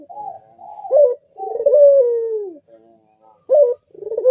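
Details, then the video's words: Melodious bekur cooing from a puter, a collared dove, used to provoke other birds to call: a quiet rolling start, a punchy short note, then a sustained falling coo, with another accented note near the end. "Burung puter Rajanya bikin gacor‼️suara Bekur besar super tajam manggung merdu mengundang bunyi"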